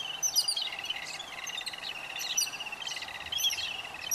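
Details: Chicks of yellow-billed babblers being fed; a steady nasal, buzzy churring with rapid stuttering pulses and occasional sharp high squeaks rising above it, several birds calling together.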